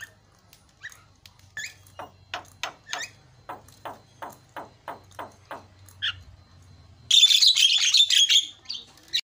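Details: Javan myna (jalak kebo) masteran recording with fill-in song to make mynas call: a regular row of short descending notes, then a sudden loud, dense burst of harsh rasping chatter.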